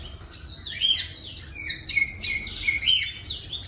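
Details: A black-throated canary sings actively, in a recording used as a lure to prompt other birds to sing: a fast, high, tumbling warble of sharp chirps and trilled phrases in bursts about every second, over faint hiss.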